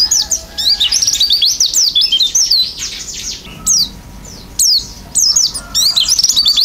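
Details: Oriental white-eye in full isian song, beak open and singing hard: dense runs of high, twittering whistled notes in bursts of about a second, separated by brief pauses.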